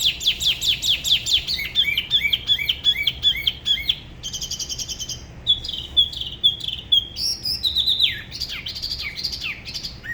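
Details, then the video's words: Singing alone, a spot-throated babbler from Da Lat's La Ba river gives fast bursts of repeated whistled notes, pausing briefly, then changing to new high phrases and falling slurs. "Tiểu mi La Bá hót solo/ Spot-throated Babbler the best solo La Ba river"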